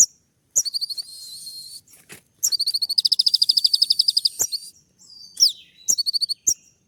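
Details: Olive-backed sunbird delivering sharp 'shooting' song while courting a female: a sustained buzzy trill, then a long accelerating rattle of ticking notes, then steep descending whistles and quick chip series.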